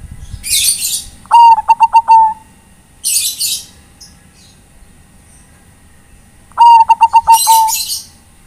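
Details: Zebra dove of the Bangkok type calling to companions: two soft, rolling, pulsed coo phrases, each a quick series of short beats ending in a drawn note, alternating with bursts of high hissy noise.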